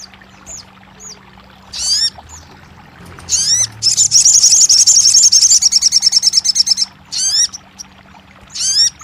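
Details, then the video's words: Crested jay on a session meant to make a quiet bird sing. Scattered high downswept whistles lead into a fast, shrill trill of about three seconds, then more swept notes. "TERAPI RAJANYA SOGON MACET BUNYI"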